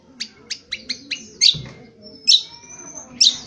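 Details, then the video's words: Indonesian honeyeater (Lichmera limbata) gives a run of five quick, sharp high chirps, then harsher buzzy notes and a long, thin, high whistle, over a faint low murmur. "Cucak Kombo : belajar Ngriwik NGriwik Kasar!!"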